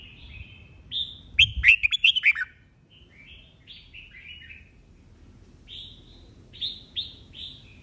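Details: Old wild-caught Red-whiskered bulbul in a singing contest, 'bọng' style song: bright warbled phrases, a loud rapid volley of piercing notes, then quieter slurred phrases and renewed clear whistles.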